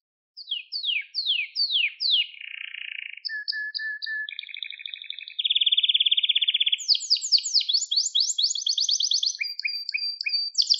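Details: Canary, in a stimulating training recording for young birds: down-slurred whistles repeated four times, a low buzz, then a medley of rolls, pure tones and rapid trills shifting in pitch.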